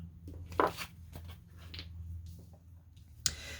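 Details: Indoor room sounds with a low hum, a few brief rustles, clicks and handling noises, and no animal voice.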